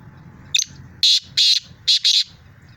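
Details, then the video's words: Harsh rasping call of a black francolin from Sindh, Pakistan: one brief clipped note followed by two grating buzzy notes and then two more in quick succession, over faint low-pitched background rumble. "Kala Teeter"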